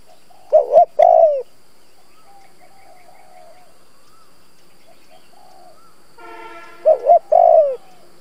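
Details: Spotted dove lure bird cooing to excite wild doves: two phrases of short rising notes ending in a long downward-sliding coo, with a brief buzzy harmonic sound between them.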